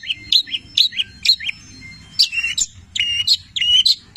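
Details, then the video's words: Cendet, a Long-tailed shrike, in full song stuffed with borrowed labet and canary phrases. Sharp, high, slurred whistles and chips come in quick pairs about every half second, clear over a quiet low background. "Masteran Cendet Petir gacor, Full isian mewah Labet dan kenari"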